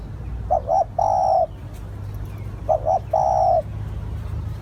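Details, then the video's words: Lure-calling spotted dove gives two clear phrases about two seconds apart, each two short coos followed by a longer even coo, over a soft low background hum. "Tiếng chim cu gáy gọi hay / เสียงต่อนกเขาได้ผล100%"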